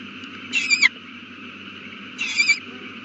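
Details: Owl calling at its nest where a chick has just hatched, 8:32 pm, April 18, 2019. Two short grating shrieks, well spaced, each ending in a slight downward slur, with constant low hum behind.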